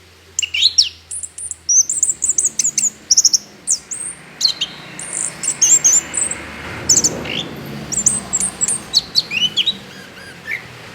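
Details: Orange-headed thrush singing hard, played as a lure to get other birds singing: a long stream of high whistles, chips and downslurred notes over a faint background hiss that swells midway.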